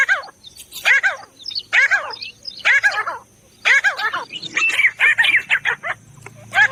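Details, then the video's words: Grey Francolin (teetar) uttering grouped harmonic, chattering notes roughly once a second, a brief gap midway, then faster higher notes crowding together toward the end over a low background hum. "The Sound Of The Pheasant Bird teetar bird"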